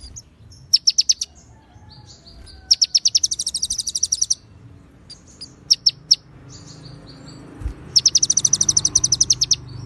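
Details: Konin white-rumped shama song filled with cililin and ciblek phrases, clean with gaps, used as a master for caged songbirds: bursts of rapid, high, metallic chip notes alternate with short thin whistles and brief silences.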